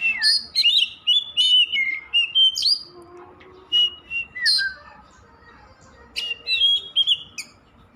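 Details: Continuous song of an Oriental magpie-robin, known locally as kacer: loud sweet whistles sliding up and down, interspersed with quick sharp chips, phrases repeated in groups separated by short silences.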